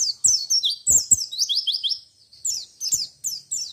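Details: White-eye song in the 'ngalas ngerol nembak' style, meant to make other white-eyes join in: a continuous high-pitched run of quick, descending whistled slurs with thin twittered flourishes, plus a few dull knocks.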